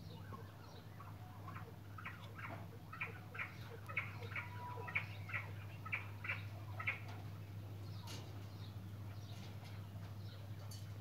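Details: Barbary partridge giving a series of short, harsh, clipped notes, about two per second, growing louder toward the middle and then fading, over a steady low hum.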